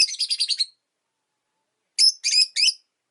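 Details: Quick chattering burst of six or seven rasping high chirps from caged rosy-faced lovebirds, five kept by a window in winter, then silence and three more squealing notes.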